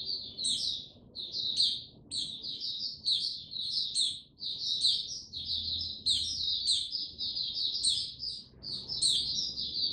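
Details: Slow, steady warm-up song of a male white-eye before it opens into full song, recorded 6 March 2022: repeated short bursts of high twittering, each topped by squeaky rising notes, separated by brief pauses.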